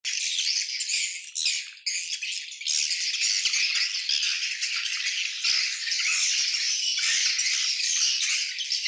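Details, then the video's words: Swiftlet colony giving a dense, continuous high chattering twitter, many birds calling at once in a rasping, rattling wash with brief dips in loudness. "SUARA ASLI KOLONI WALET"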